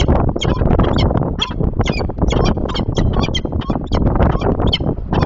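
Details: Female peregrine falcon chasing off an intruding falcon, defending her nest box and hunting territory outside the breeding season, 28 September 2024, giving harsh, rapid cacking notes in ragged bursts over heavy wind rumble.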